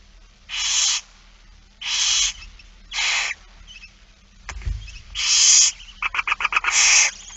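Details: Barn owls during a feeding on 8 September 2019, 16:02. Four harsh hissing screeches are spaced about a second apart, with a dull thump in between. The clip ends in a quick burst of clicking ticks blending into a final hiss.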